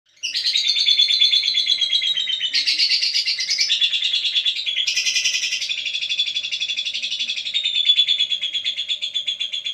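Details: Lovebird giving a continuous stream of rapid, high-pitched chattering chirps, about three per second, with buzzy shifts in tone that stay loud throughout; no other clear sounds.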